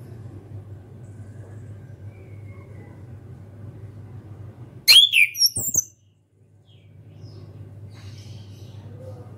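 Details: Brief, loud phrase of sharp whistled and squeaky notes, about one second long, from a young orange-headed thrush beginning to sing, set within a long stretch of low steady background noise.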